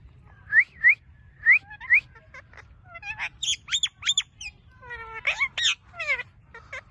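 A ringneck parrot gives a fast string of bright rising whistles, then squeaky harmonic chatter and clipped, word-like phrases. A low background hum runs throughout.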